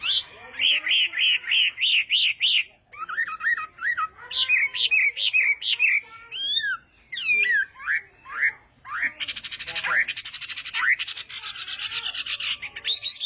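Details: Chinese hwamei in full morning training song, Vietnamese fighting style: repeated whistled rising notes about three per second, then varied swoops and slurs, ending in harsh rapid buzzy rattles.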